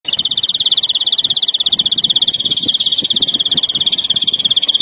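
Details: European greenfinch singing in the larguero style, recorded in 2021 to teach young birds: a long, unbroken rolling trill of rapid, even pulses at a steady high pitch, with faint low rumbling behind.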